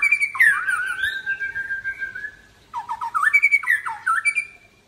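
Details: Midday-bathed white-rumped shama from Aceh delivering long wavering whistles that glide and fall, a brief pause, then bursts of quick looping notes with high sharp accents.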